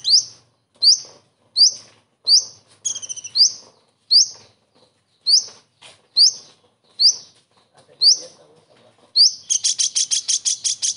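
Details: Common iora delivering kingfisher mimicry with characteristic shots: about a dozen sharp upward-sweeping notes at near-regular intervals, one stuttered rattle, then a fast chattering series of rapid notes to close.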